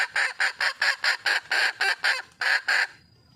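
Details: Junglefowl calling for a mate: a fast run of about eleven loud, harsh, clucking notes, roughly four each second, with a short gap before the last two, then an abrupt stop into quiet background.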